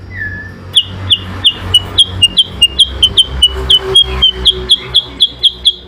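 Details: Yellow-eyed babbler (kutilang sutra) in an adu kicau singing contest against an Oriental magpie-robin (kacer), singing vigorously: after a brief low whistle, a fast run of sharp high downslurred notes, about three per second, over a low hum.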